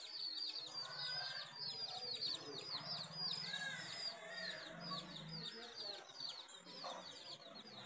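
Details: Hens with chicks: a dense stream of thin, high, down-slurred peeps from many chicks, repeated rapidly and unevenly, over a low steady hum and soft background noise.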